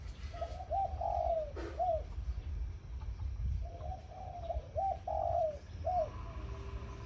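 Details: A captive zebra dove kept as a decoy bird and hung in front of a house coos in the morning. Two bursts of soft, rounded coos, several rising and falling quickly, over a steady low background rumble.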